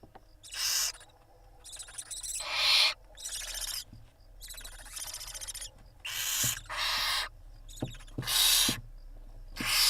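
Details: Barn owl family at a nest camera in Israel, 26 April 2021, the mother preening her five chicks; many overlapping rough hisses of varied length come in dense runs, some soft and some loud, with faint knocks.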